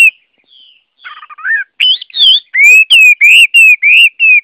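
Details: Loud song of a Chinese hwamei: soft scratchy notes lead into rich whistled phrases, then a series of clear rising-falling whistles repeated about three times a second, with high overtones.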